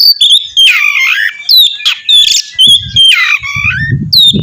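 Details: Oriental magpie-robin in song used to prompt another to sing: clear whistles alternating with harsh, squawky slurred notes, with low rumbling noise near the end.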